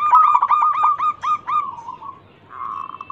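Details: Lure recording of a local zebra dove, an eager singer: a fast burst of staccato coos that slows and fades, followed by a short steady hum.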